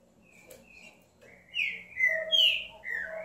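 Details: Green-winged saltator singing: a few soft whistles, then a loud run of clear, slurred whistled notes, some rising and some falling, with a low steady hum underneath.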